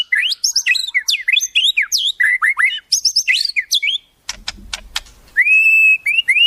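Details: White-rumped shama pouring out a dense, varied song of sweeping slurred whistles, said to include wild-bird mimicry, followed by sharp clicking notes and a long level whistle.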